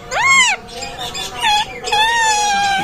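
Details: A pet talking parakeet mimics a cat's meow, then runs into short, voice-like chattering phrases imitating Bengali speech.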